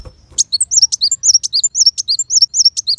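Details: Black sunbird song in rapid-fire style, a master song for white-rumped shamas: quick, piercing, high twittering phrases of alternating notes repeated steadily about four times a second, with faint low rumbling noise.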